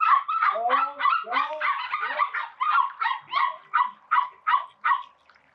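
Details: Call ducks near a spray pool keep up a dense chorus of overlapping, brassy quacks that thins into single evenly spaced calls and fades out.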